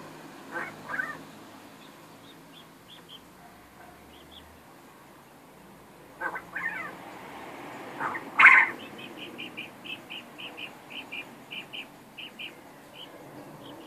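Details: Captive male quail that rarely crows and can be surprisingly loud: scattered rough calls build to one loud harsh burst, followed by a run of short, high, evenly spaced chirps.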